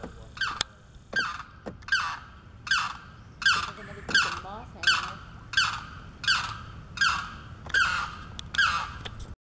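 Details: During breeding season a Limpkin calls for its mate on Blackwater Lake, Eustis, Florida: a steady series of about twelve loud, ragged screeching wails, each roughly 0.7 seconds apart, with faint wavering tones in between.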